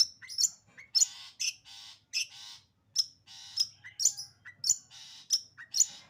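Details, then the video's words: Long-tailed shrike in 'sembur' song, a rapid run of sharp high chips alternating with harsh raspy bursts, roughly two per second, over a low background hum. "burung cendet sembur"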